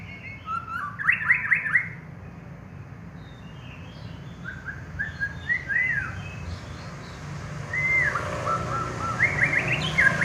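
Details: Champion contest white-rumped shama singing: a burst of rapid rising and falling whistled notes, a pause, sliding whistles, then sharper rising notes near the end, over steady low background rumble.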